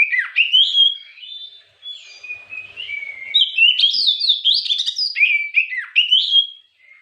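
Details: White-rumped shama song used as an afternoon lure to provoke other birds: clear, loud whistled phrases, bright rising and falling notes, a brief quieter pause, then a fast run of sharp descending notes.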